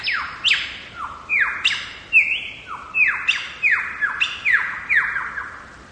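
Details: Megalong Valley, Blue Mountains, Australia: a wild lyrebird pours out a continuous cascade of loud whistles, each dropping steeply in pitch, mixed with brief level notes, roughly a dozen in quick succession.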